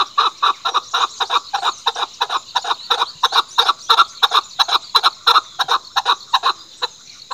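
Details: Chukar, Pakistan's national bird, calling in a fast, steady series of harsh clucking chuck notes, roughly three each second, running without pause for several seconds against a quiet background.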